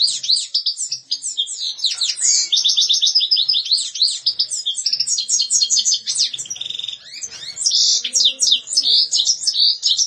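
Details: Lively European goldfinch song: a long, unbroken stream of sharp, tinkling notes mixed with buzzy, nasal trills and quick rising and falling chirps.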